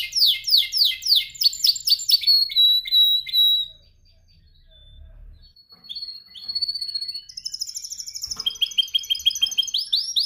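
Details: Canary practising its training song: fast repeated slurred notes and a held whistle, a pause of near silence with faint low murmuring, then the song resumes with high trills and quick rising notes.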